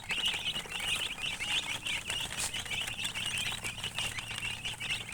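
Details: High chirping from coloured chickens, rapid peeps roughly every half second, many birds overlapping into a constant twittering chorus over a steady low hum.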